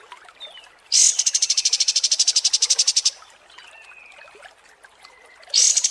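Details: Cream-vented bulbul (kapas tembak) song for contest training: a loud, buzzy, high trill of rapid pulses for two seconds, soft thin whistles in the gap, then another buzzy burst begins.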